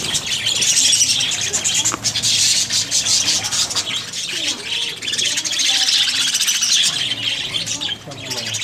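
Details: Breeding colony of budgerigars chattering nonstop, high twittering and squeaks overlapping, with faint low voices of people beneath the bird noise.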